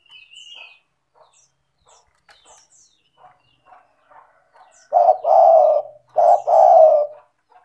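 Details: A spotted dove in full calling form, used as a lure to get reluctant doves to call. After soft scattered ticks and a brief high whistle, two loud, low, throaty coo phrases arrive in quick succession near the end.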